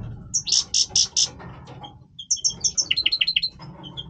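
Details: European goldfinch male in breeding voice: four loud buzzy notes, a pause, then a rapid run of descending twittered whistles and chirps, clear and bright.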